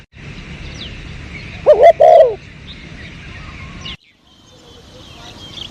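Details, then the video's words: Spotted dove near house plants during 2022 bird luring, uttering one short wavering two-part coo in the middle, surrounded by quiet background hiss and a brief cut to near silence. "Pikat burung terkukur"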